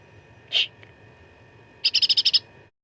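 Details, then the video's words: Cucak ranting fighting song used for master training: a single short buzzy note, a pause, then a crisp run of seven evenly spaced chattered notes. "CUCAK RANTING GACOR TERBARU 2025 _ SUARA TARUNG FULL ISIAN !!! Cucak ranting isian mewah"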